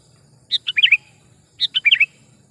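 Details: Lively sooty-headed bulbul call for trapping lures: two quick phrases of bubbly, slurred chirps, each about half a second long, separated by a short gap, with a soft low hum underneath.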